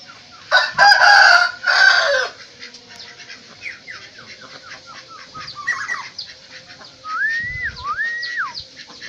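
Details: Black-naped oriole from Aceh, Indonesia: after loud harsh bursts, two clear fluty whistled phrases that rise, hold, then slide down, against many thin high chirps from other birds.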